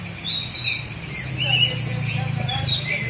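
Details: Oriental magpie-robin from Indonesia's Aceh Selatan bird-keeping scene, giving scattered high whistles and slurred notes over a steady low hum and murmuring voices.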